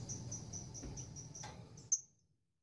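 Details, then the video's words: Female lovebird in courtship toward a male, producing a quiet, fast string of high pulsed notes about four per second, ending in a single sharp click before silence. "Lovebird gacor ngekek panjang betina merayu jantan"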